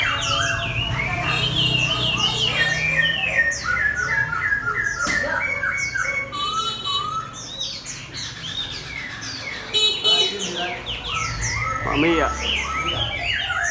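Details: Chinese hwamei competition bird placed beside a fighting bird, singing a dense, fast stream of varied whistled and slurred phrases, some rising, with harsher squawk-like notes, a low background hum and short loud knocks.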